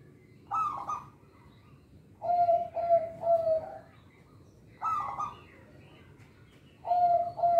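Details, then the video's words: Local zebra dove song meant to lure and train young birds: phrases of clipped coos, a higher rough note leading into two or three steady low coos, each phrase separated by about a second of quiet. "Perkutut Lokal Suara Istimewa, Pemikat Bakalan"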